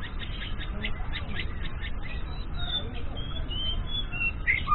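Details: Young white-rumped shama learning to sing in the morning: a quick run of short chirped notes, then drawn-out whistled slurs rising and falling, over a constant low rumbling hum.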